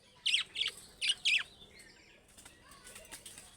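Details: Budgerigar, an Australian parrot, gives four quick harsh chirps in a tight burst, followed by soft low warbling chatter.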